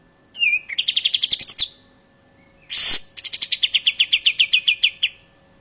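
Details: Sharp besetan song of a kapas tembak: a falling slurred whistle opening into a quick train of around twelve bright clipped notes, a pause, then a harsh broadband rasp and another even run of about fourteen rapid chips.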